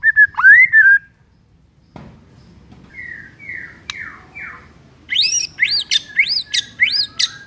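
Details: White-rumped shama morning song: one loud rich whistled phrase, a quiet gap with faint descending notes, then a series of sharp, high, rapidly repeated upswept chips.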